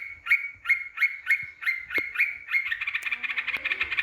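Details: Yellow-vented bulbul song used as a lure to provoke rival birds: a run of short, bright chirps repeated about three times a second, building into a faster bubbling chatter at the end.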